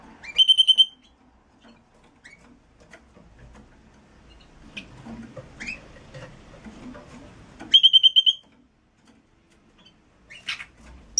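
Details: Red-rumped parrot singing to prompt mating: a quick burst of rapid pulsed whistles, a long quiet stretch with faint chirps, then a second identical pulsed burst and a rising final note.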